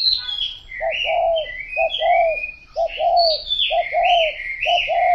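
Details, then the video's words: Spotted dove giving soft, rounded coos in short grouped phrases roughly every second, the lower notes clear under a busy layer of thin, sliding whistles and chirps from other birds. "Cu gáy"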